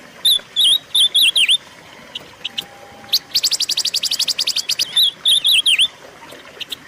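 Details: Silver-eared mesia song used to train and attract caged birds. Rapid wavy whistles open the phrase, then a long, fast, even rattle of chip notes, followed by a second burst of bouncing, downward-swooping whistles.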